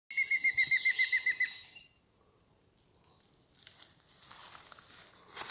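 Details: Mayan antthrush, Yucatán, March 2019, giving a quick run of about eleven clear, even whistled notes at a steady pitch, followed by soft rustling and scraping noises.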